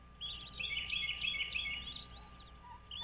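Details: High-pitched, dense twittering chatter from American bald eagles at a nest on Dale Hollow Lake, Kentucky-Tennessee line, early morning 06.03.2023, in one continuous burst of about two seconds over a faint low hum.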